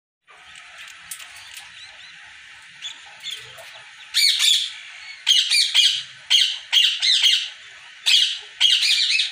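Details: Ringneck parakeets kept in a breeding colony setup, Pakistan, 2022: faint background chatter at first, then loud harsh squawks repeated about once a second in short clusters.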